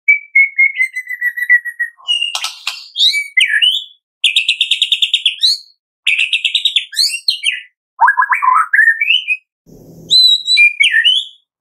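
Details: White-rumped shama singing in the morning, meant to stimulate captive shamas: a long whistled note, then varied phrases of rapid buzzy trills, chattering notes and rising whistled slurs, with short pauses between phrases.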